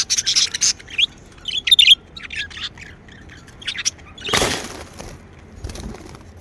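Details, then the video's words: Pet budgies chatter in busy, scratchy warbles, followed by a burst of rustling or wing noise and then softer chirps. "Happy Budgie Sounds | Chirping sounds | parakeets sound | budgie sounds"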